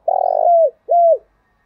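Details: Spotted dove calling to stir up other doves: a low coo opening with a rapid fluttering stutter that runs into a smooth held note, then a second short arched coo, clean and close.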